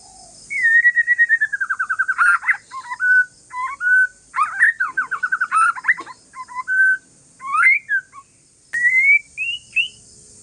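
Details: Calm song of a white-rumped shama of the Aceh forest strain, meant to provoke other shamas into answering: clear whistled phrases near mid pitch, a fast descending trill of rapid notes, then varied slurred whistles and short rising notes, with a steady high hiss.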